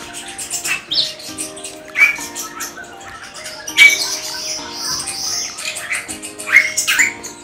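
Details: Captive rosy starling, a migrant not native to Indonesia, kept at a bird farm where breeding has been tried without success, gives harsh, scratchy squawks and chattering bursts every couple of seconds over background music and a little speech.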